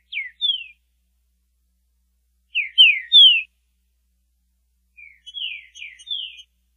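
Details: Green-winged saltator singing one of its song variations: short phrases of clear, downslurred whistles, two to four notes each, separated by pauses of about two seconds.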